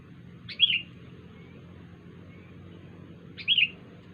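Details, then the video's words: Two identical short, sharp, slurred whistles spaced about three seconds apart, an unusual sound from a wild sooty-headed bulbul, with quiet background. "kutilang liar suara Aneh"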